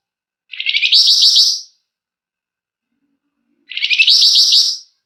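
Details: Gacor flamboyan song used as a lure, with long, dense ngebren and emotional nyecret: two matching high, buzzy, rapidly stuttered bursts of about a second, about three seconds apart, with silence between.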